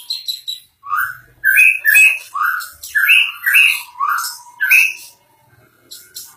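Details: White-rumped shama singing 'gacor', vigorous and continuous: quick loud phrases of harsh, slurred notes rising and falling, packed closely for several seconds, with a faint thin whistle drawn out underneath before the bird falls quiet.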